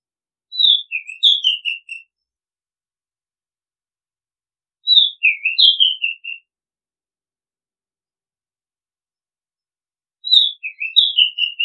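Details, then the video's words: Oriental magpie-robin singing: three clear whistled phrases, each about 1.5 seconds of sweet notes stepping downward, repeated roughly every five seconds with silence between. "Oriental Magpie Robin Sound Long play เสียงร้อง นกกางเขนบ้าน"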